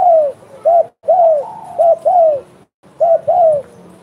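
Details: Spotted dove, vigorous singer (derkuku gacor), bekur coos: about four pairs of a short curved note followed by a long falling coo, separated by brief silent gaps.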